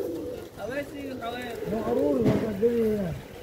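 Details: Pigeon cooing: low, throaty, wavering notes that rise and dip, running into a longer drawn-out coo near the end, over a soft background hum.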